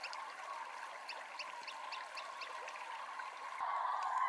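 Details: A green sandpiper (Tringa ochropus) feeding at a shallow river edge at dusk, moonlit, repeats short, high whistled notes rapidly, three or four a second, over steady rushing water, as flocks of cranes fly to their roosts.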